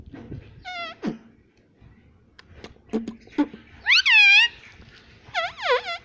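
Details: Talking pet parrot saying "Mummy": a brief high note, sharp clicks, then two loud, wavering, harmonic syllables near four and five and a half seconds in a quiet indoor setting.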